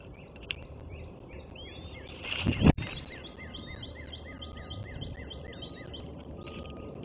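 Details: At the nest on 21 March 2024 an eagle gives a quick series of high piping notes, rising and falling, broken by a loud thump and rustle, then resuming over background hiss.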